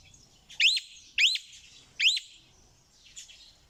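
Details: Parrot giving three loud, harsh screeches that rise then drop, spaced roughly half a second apart, then a fainter fourth call after a pause; faint low rumble in the background.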